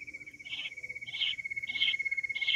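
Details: Quail in the wild repeating a short, bright note roughly every two-thirds of a second, over a steady high-pitched insect trill.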